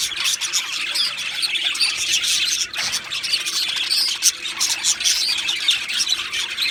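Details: Two male Australian budgies chatter nonstop, high bright chirps and tweets run together into a lively warble with a short dip in the middle.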